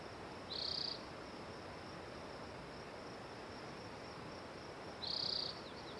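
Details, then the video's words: A Spotted Towhee singing: two short, high buzzy trills about four seconds apart over a steady background hiss. "Spotted Towhee Singing A Song"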